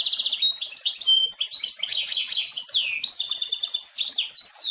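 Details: Goldfinch × canary hybrid, a cross between a female canary and a male goldfinch, whose song resembles the goldfinch's: continuous fast twittering with buzzy trills, sharp downslurred whistles and rolling repeated notes, likely indoors.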